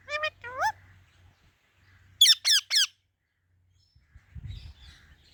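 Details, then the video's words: A talking pet rose-ringed (ringneck) parakeet gives short, harsh rising squawks, two early then three loud ones in quick succession, followed by a low thud or rustle. "Parrot Chirping Sounds"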